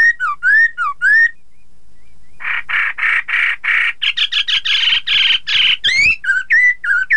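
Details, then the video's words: Chinese hwamei song used to make rival birds join in: whistled rising and falling notes, a pause, a long stretch of harsh chattering bursts, then more clear whistles. "Terapi poksay hongkong agar lawan ikutan bunyi"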